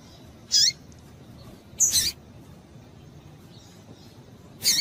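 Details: A female coleiro (rusty-collared seedeater) calling to excite males gives three brief, high, clipped notes spaced over a few seconds, the first ending in a short upward flick. A quiet steady hum lies underneath.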